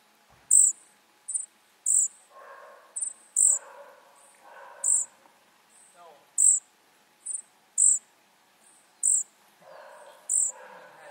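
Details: A rapid, irregular run of shrill, high-pitched squeaks from flycatcher nestlings, some doubled, over bursts of louder, lower, broad rustling or chattering.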